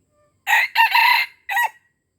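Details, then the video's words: Red junglefowl from Aceh, crowing to lure wild junglefowl: a short three-part crow. A brief opening burst leads into a longer, harsh middle section and a clipped final note, all within about 1.3 seconds, with silence before and after. "Ayam Hutan Aceh # memikat ayam"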